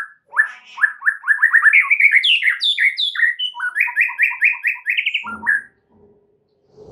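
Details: Murai, or white-rumped shama, in a full-fill prompting song meant to make other birds sing: a fast varied stream of slurred whistles, then a run of evenly repeated rising notes ending in a short buzzy burst.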